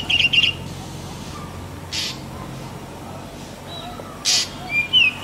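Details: Black drongo, Dicrurus macrocercus (Bengali ফিঙে), calling: a short chattering burst opens, then isolated harsh rasps and a couple of thin, rising whistled notes near the end over a constant low rumble.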